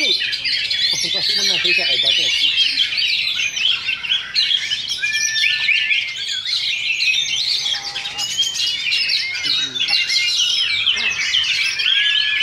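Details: Oriental magpie-robins competing in a Sunday practice singing contest at Sindanglaut. Sustained, overlapping whistled song with sliding notes and rapid twittering runs, plus faint human voices early on.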